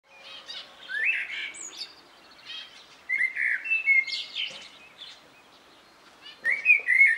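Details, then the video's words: Common blackbird singing: bursts of varied, fluty warbled phrases mixed with higher twittering notes, three main bursts separated by short pauses, in a quiet outdoor setting. "The best bird song-ptáček Kosáček"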